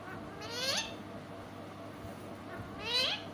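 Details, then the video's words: Pet parrot giving two loud rising squawks, each a harsh upward-sweeping cry about two seconds apart, over a steady low background hiss. "Mithu talking sweet voice"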